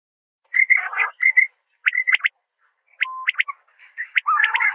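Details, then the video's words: Common quail giving its liquid three-note 'wet-my-lips' call, sharp high notes repeated about every second, with some rougher, lower-pitched murmuring between phrases. "Common Quail Calling"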